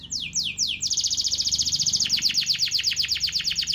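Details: Canary song played as a lure to get reluctant birds singing: a few quick descending high notes, then a long, fast, even trill of buzzy repeated notes that drops slightly in pitch halfway through.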